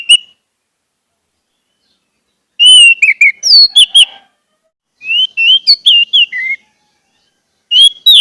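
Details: Orange-headed thrush song played to get caged birds singing: three bursts of rich whistled and warbling phrases with sharp chips, separated by pauses of one to two seconds.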